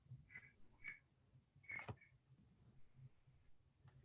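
Green heron giving a few short, harsh squawks, three or four notes in under two seconds, over a low room hum.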